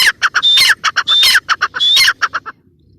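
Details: Brief run of harsh grating notes from a female teetar, the grey francolin, with three longer strident phrases carrying a rising whistled tone, then sudden silence.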